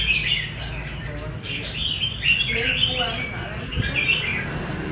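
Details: Red-whiskered bulbul giving its rê cầu song, a run of bright, warbling whistled phrases with brief pauses, while voices can be heard faintly underneath.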